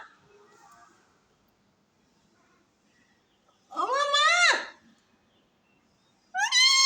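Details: Talking parrot beside its owner, with faint murmuring at the start, then one loud arched speech-like syllable and the beginning of another after a pause.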